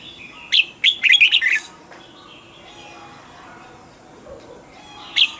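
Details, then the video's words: One crisp note, then a hurried burst of warbling, wavering whistles from a caged red-whiskered bulbul, followed by a long gap with faint chirps and a final sharp note. "นกปรอดหัวจุก นกปรอดหัวจุก เสียงนกกรงหัวจุก"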